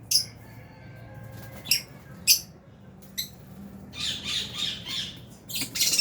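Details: Scattered sharp, high squeaks come from aviary lovebirds, albino and Fisher's, then a denser chattering burst in the last two seconds, with a faint low rumble beneath.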